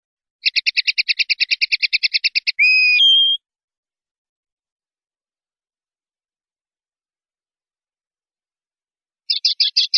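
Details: Common linnet in the 'limpio' (clean) song style of Spanish silvestrismo, 2019/2020: a fast, even rattle of about twenty clipped notes, a sustained whistled note stepping downward, long silence, then a brief renewed rattle.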